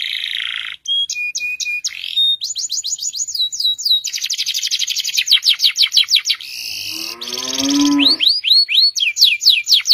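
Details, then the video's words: Canary singing a long 'gacor panjang' masteran song: short pure whistles, then rapid rattling trills, a lower harmonic-rich squeaky phrase near the end, and curved rising notes repeated quickly. "Masteran burung kenari gacor panjang"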